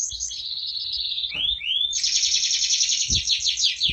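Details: Energetic canary, called a competition-winning singer, starts with a sustained warbling note, adds two short rising slurs, then breaks into a loud, rapid high trill; faint low knocks in the background.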